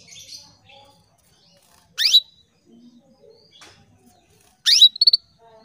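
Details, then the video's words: Female canary calling males, captive in Indonesia; two bright rising chirps about two and a half seconds apart, the second followed by short clipped notes, with faint background twitters and small knocks. "PANCINGAN KENARI BETINA MEMANGGIL JANTAN"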